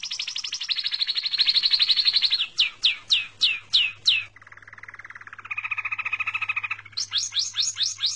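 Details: Small bird singing: a fast high trill, then a series of loud downslurred whistled notes, a lower buzzy rolling trill, and more rapid descending whistles at the end, with a faint low hum beneath.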